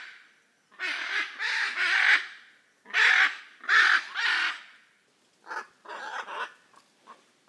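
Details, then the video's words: Hyacinth macaws giving harsh, raucous squawks in bursts, several loud grating calls followed by shorter, clipped screeches. "The raucous sounds of Hyacinth macaws"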